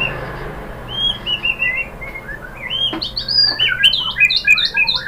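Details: White-rumped shama (murai batu) lure song for prompting other birds to answer: soft, rounded whistled notes in descending runs, building to a denser, higher flurry of chirps and whistles at the end, over faint background noise.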